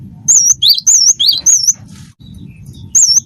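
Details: Gelatik batu wingko, the cinereous tit, a gacor singer meant to draw song from others: wavering high whistles paired with rising lower notes, repeated at an uneven pace, then a short gap and a new phrase.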